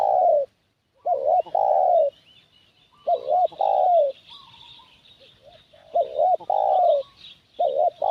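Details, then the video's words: Spotted dove decoy cooing meant to lure wild doves: steady phrases of two quick hooked notes and a drawn-out descending coo, about every three seconds, over a thin background of high twittering birds. "Suara Pikat Burung Tekukur"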